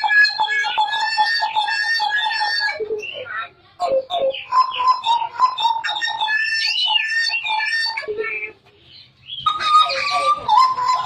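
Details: Hooded butcherbird in energetic, nonstop song, said to sing until it coughs: rich harmonic whistled notes near the same pitch repeated rapidly, broken by brief pauses and short lower notes, with varied warbled phrases in the middle.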